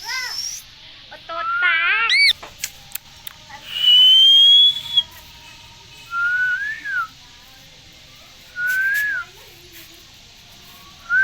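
Rose-ringed parakeet giving clear, pure whistles: a wavering trill, one long steady high note, then short rising-and-falling whistles about every two seconds.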